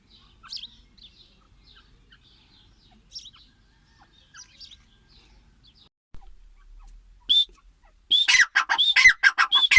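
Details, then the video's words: Grey francolin (teetar) heard after a quiet stretch of faint distant chirps, then bursting into a loud run of sharp, ringing, rapidly repeated notes with whistled upward strokes near the end. "Teetar ki awaz l teetar sound l teetar vioce l gray francoline"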